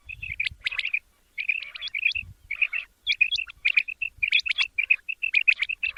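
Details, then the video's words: Quail calls used for morning hunting: dense bursts of high chirps and short whistled notes, with some rising sweeps, in quick uneven runs broken by brief pauses. "Amazing batair ka kartab daiken | latest chukion wali awaz subha k liye"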